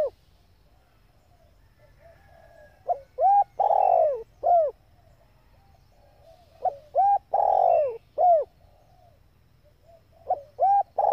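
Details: Female spotted dove cooing to stir up male decoy birds; three mellow phrases roughly every four seconds, each a quick lead-in note, paired short coos, a long loud sliding coo and a clipped final note, over a low hum.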